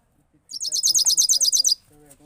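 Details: European goldfinch, 2022, sings one rolling sound: a bright, fast, high trill of about a dozen repeated notes lasting just over a second, with faint low background noise.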